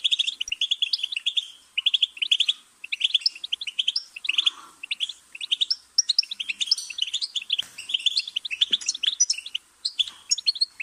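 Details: Goldfinch in sustained song: long runs of fast, tinkling twitters mixed with buzzy trills, broken by brief pauses, with a faint low murmur near the middle.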